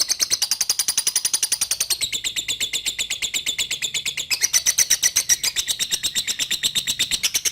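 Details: Long unbroken lovebird 'ngekek' chatter, a fast even stream of high buzzy pulses that shifts slightly in pitch partway through.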